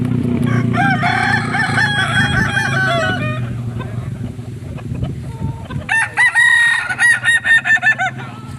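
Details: Crowing Kukuak Balenggek cockerel from Solok, West Sumatra: a long harmonic crow for about three seconds over low hum, then a run of six or seven short stepped syllables rapidly repeated near the end.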